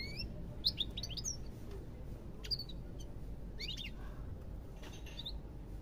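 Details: European goldfinch singing quietly: scattered bright twittering notes and short rising and falling whistles in a few loose bursts, with pauses between and a steady low background hum.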